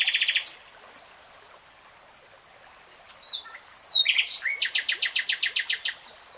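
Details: A singing common nightingale opens with a short buzzy burst, pauses, then delivers a loud phrase ending in a long run of evenly repeated sharp notes, about four per second, against faint steady background noise.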